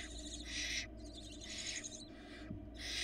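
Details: Four hungry barn owl nestlings begging as their mother brings a rabbit to the nest, Florida nest cam, February 2022; long, raspy, broadband hissing screeches in drawn-out bursts with short gaps between.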